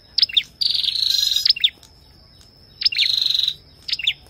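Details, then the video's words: An ashy tailorbird sings alongside a female, giving high sharp chip notes around a fast, buzzy trilled phrase, repeated twice within a few seconds. "Tiếng chim Sâu đầu đỏ hót kèm tiếng Mái"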